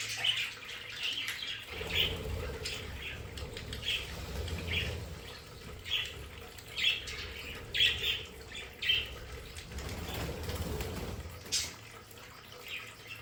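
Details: Captive budgerigars in a home play area give sharp, squawky chirps in short bursts, several about a second apart. There are low thumps and rustling between the calls.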